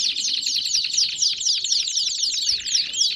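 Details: Belgian canary song, brief and intense: rapid repeated chirps about four per second, sharp and high, with a soft whistled glide near the end.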